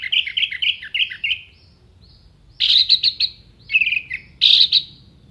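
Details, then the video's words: Orange-headed thrush (anis merah) singing full, sharp 'tembakan' phrases with a clear voice, contest-bird training material: a rapid run of short high chirps, a pause, then louder bursts of trilled, slurred notes. "MASTERAN ANIS MERAH GACOR FULL ISIAN TEMBAKAN TAJAM VOKAL JERNIH DURASI PANJANG ISIAN BURUNG LOMBA"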